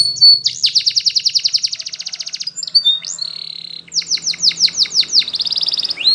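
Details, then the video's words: Yellow Spanish Timbrado canary song: a long rapid trill of crisp repeated pulses, a pause with brief chirps, then a series of loud falling whistled sweeps and a closing buzzy trill. "Canary's Most Powerful Song For Training !! Yellow Canary singing"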